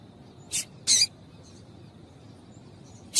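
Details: Double-collared seedeater female calling to excite males into singing, giving sharp high chips: one brief note, a slightly longer buzzier one just after, and another at the very end, with little else heard.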